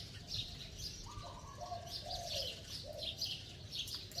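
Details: Spotted dove giving a bell-like coo: a short series of low hollow notes with a falling final slur, while many small birds chirp and twitter loudly in the background.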